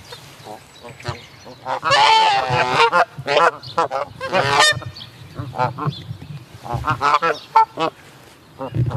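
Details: Canada geese (Branta canadensis) honking: several birds calling loudly and nasally in overlapping bursts of rising, two-note honks, with a low background hum.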